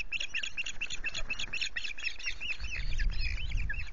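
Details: Osprey at its Loch Garten nest, 25 July afternoon, calling around a fish delivery: dense, rapid chains of high piping chirps run almost without pause, while low wind noise swells in the final second.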